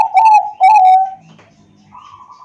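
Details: Zebra dove of the Bangkok type, recorded by Android phone in Wiradesa, Pekalongan, Central Java, as a lure to get other doves singing: two clear ringing coos, the second drawn out, followed by faint softer cooing and light hum.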